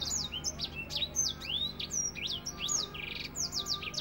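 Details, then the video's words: African finch in full 'nembak rapet' song, a dense tutoring track: bright high whistles sliding sharply downward in quick succession, with a short buzzy trill midway and faint low hum. "Masteran African finch nembak rapet"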